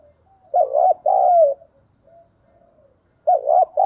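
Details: Decoy spotted dove giving a thúc bổi coo: a hoarse doubled note, then a long sustained coo sliding downward. Faint soft notes follow, then another doubled phrase begins.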